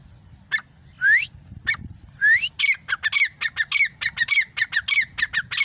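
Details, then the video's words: Grey francolin calling: two rising, grating notes, then a fast run of harsh, squeaky repeated phrases, loud and insistent, over a low rural background rumble. "Gray Francolin ||gray Francolin sound|| irani teeter ki awaz"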